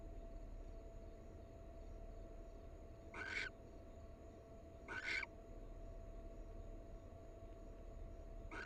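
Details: Wild barn owls, a pair. Widely spaced harsh hissing shrieks, three in under nine seconds, each brief and noisy, set against a continuous low hum.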